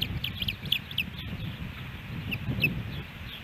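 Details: Osprey nest at Hellgate Canyon, Missoula, Montana, July 13, 2018, a day of three fish deliveries. A few high, slurred chirps sound early and again later against a steady low rumble.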